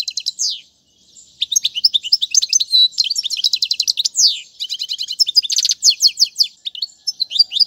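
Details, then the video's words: Lively European goldfinch song used to teach young birds: nearly continuous tinkling chatter mixing sharp upslurred notes, buzzy rattles and rapid trills, with only a short pause near the start. "أفضل تغريد الحسون"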